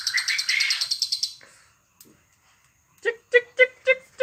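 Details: Lovebird giving a rapid rattling series of harsh chirps, then after a pause a run of lower, evenly spaced squeaky notes; recording intended to stimulate other lovebirds into song.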